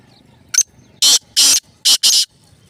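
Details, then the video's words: Black francolin calling: one short sharp note followed by four loud, harsh, grating bursts in quick succession, the last two close together, over a quiet background. "Kala Teetar Ki Awaz"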